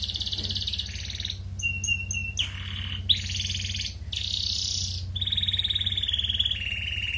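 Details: Red canary singing actively in ngerek style as a breeding lure for colony-kept birds: alternating buzzy rolled trills and clear whistled trills in short linked phrases, over a steady low hum.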